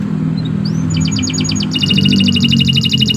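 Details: Canary of the Nusantara type singing: a short rising whistle, then a fast buzzy trill of repeated notes about eight per second, over steady low traffic-like rumble.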